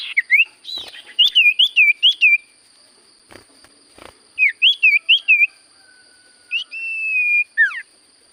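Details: Common Iora in energetic song: short runs of four or five clear, wavering whistled notes, separated by pauses with soft clicks, then a long level whistle and a falling note, with a constant faint high hum.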